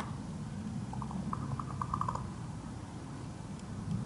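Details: Large male common raven clacking: a quick series of about eight short, hollow knocking pulses in just over a second, set against a steady low rumbling background.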